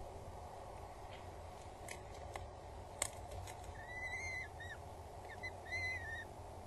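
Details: Feeding time for two peregrine falcon chicks at Axel Tower, Netherlands, 19 April 2022 at 12:43, with the father present and the mother bringing food; clicks and taps, then two bouts of thin, whining whistled begging calls.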